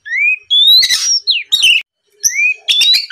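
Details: Oriental magpie-robin singing to goad rivals into answering: sweet upward-sliding whistles mixed with rough, buzzy bursts and twittering notes, a brief pause near two seconds, then more rising whistles.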